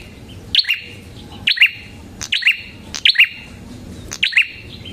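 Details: Red-headed prinia (prenjak kepala merah) in lively song, used as a lure and master sound for training songbirds: sharp two-part chirps, a high note dropping into a lower one, repeated about once a second over a quiet background.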